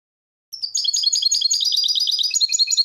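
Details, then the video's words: Goldfinch song: a fast, continuous high twittering of tinkling, chirping notes with slurred trills, starting after a half-second pause and running unbroken to the end, with no other sounds. "Goldfinch Song"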